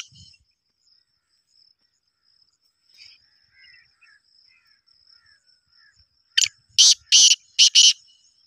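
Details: An excited, fast-calling black francolin gives a loud burst of four or five harsh, grating notes in quick succession, after a quiet stretch with a faint steady high whine and scattered soft chirps.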